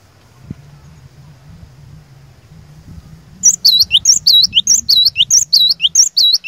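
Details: Quiet low background hum gives way to a cinereous tit's loud whistled song, used as a lure to provoke rivals, with sharp paired high notes repeated quickly and evenly to the end.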